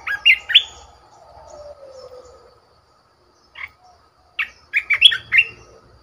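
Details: ['Red-whiskered bulbul, a caged decoy bird, sings short bursts of rich, warbled whistled notes at the start, then a quiet gap, then a livelier run of chirpy phrases near the end.']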